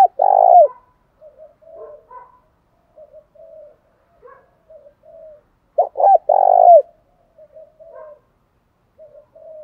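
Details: Lure cooing of a spotted dove meant to excite a decoy: two deep phrases, each a short lead note, a rough sustained coo and a falling tail, with quiet soft notes scattered between.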